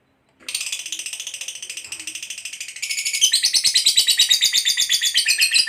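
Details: Fighter lovebird in long ngekek song, used to provoke other lovebirds into singing: a fast, unbroken rattling trill of many notes per second lasting over five seconds, growing louder midway.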